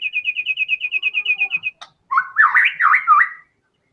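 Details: White-rumped shama singing actively in full fighter style, meant to prompt other songbirds. An even, rapid series of identical short notes is followed by a brief click, then loud swooping, looping whistles.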